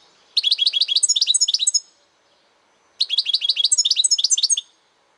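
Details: A European goldfinch delivers two rapid trilled phrases of about one and a half seconds each, quick liquid high twitters run together into a rippling chatter, separated by a brief silence.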